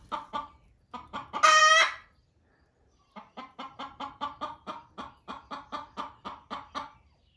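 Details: Loud hen in a barn where hens laid eggs, clucking at a laying hen to hurry off the nest: quick clucks, then a long harsh squawk, a pause, and a fresh fast run of even clucks.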